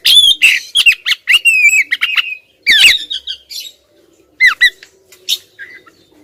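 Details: Female oriental magpie-robin calling stubbornly toward the male. Rapid harsh chirps and nasal squawks run in a string, then scattered shorter notes.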